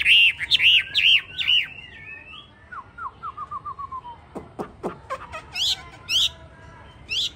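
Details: Hwamei with yellow feet, bill and feathers ('tam hoàng') sings bright looping whistles, then a falling series of soft notes. Loud sharp clicks and brief high buzzy bursts follow.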